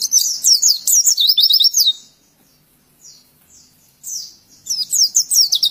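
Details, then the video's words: Training song of an oriental white-eye meant for teaching other birds: two seconds of dense, high, bright twittering phrases, a quiet gap with a few soft slurred notes, then renewed quick chirping runs. "Masteran Pleci Pemula Auto Nyautt dan bikin kesayangan makin tambah Gacor!!!"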